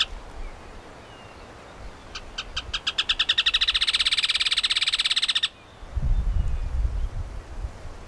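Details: At Lomas de Arena Park, Santa Cruz, Bolivia, a rufous hornero gives a loud, shrill series of notes that starts spaced and quickly speeds into a rapid, ringing rattle lasting about three seconds, followed by a low rumble of wind.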